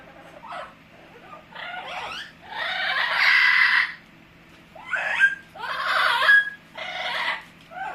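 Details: Amazon parrot kept as a pet chatters in a run of uneven, scratchy squawks and gurgling bursts of varying length, some longer and louder, in a quiet room.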